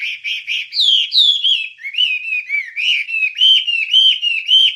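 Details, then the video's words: Wambie song used to train songbirds: a few short chips, then smooth, falling whistles running into continuous wavering, slurred whistled phrases. Clean, with nothing else heard. "Ocehan Suara Burung Wambie"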